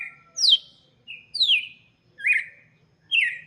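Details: Red-cowled cardinal song for chicks: four clear whistled phrases, each a bright note sliding downward, spaced under a second apart, with a very faint low hum.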